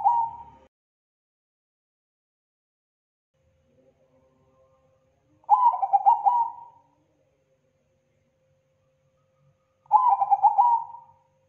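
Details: Zebra dove used as a lure, its call described as thick, loud and clean: three rhythmic cooing phrases about four and a half seconds apart. Each is a rapid burst of throbbing notes that eases into a level trailing coo, in a quiet setting.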